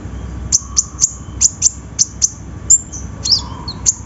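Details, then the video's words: Lure recording of a sunbird, meant to set quiet birds singing: a steady string of piercing high clicks at roughly even intervals, then a brief twittering flourish before the clicks resume. "PANCINGAN KONIN SUSAH BUNYI!!"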